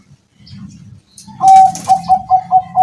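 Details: Bangkok-type zebra dove kept at a home, cooing through strong wind: a held clear note followed by five or six short, level, rhythmic coos, with a brief burst of flapping or rustling noise and low background rumble.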